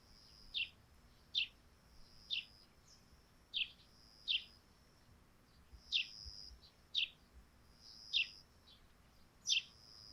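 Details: A lively run of sparrow chirps on a thatched roof in the dewy morning, about a dozen short bright notes at a steady pace, with a thin high tone in the background.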